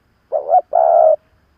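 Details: Single call of a spotted dove used as an old decoy to stir up wild birds: a quick quavering note rising at its end, followed by a longer flat mellow coo, then quiet.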